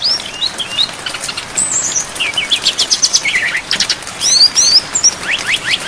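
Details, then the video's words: Brown-chested jungle flycatcher, full-fill-in training recording for songbirds with rain: varied high chirps, quick slurred whistles and sharp upward notes in uneven bursts, soft rain hiss in the background. "MASTERAN SRDC FULL ISIAN DAN AIR HUJAN DURASI PANJANG"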